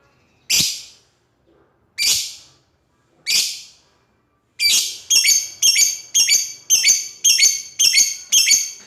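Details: Lovebird calling out to an opponent, starting with three spaced, shrill screeches, then breaking into a fast series of eight harsh, ringing chirps in quick succession.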